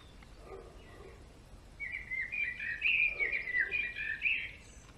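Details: Male European greenfinch: after a quiet start with faint low notes, a dense, fast twittering warble of bright whistles runs continuously for about three seconds.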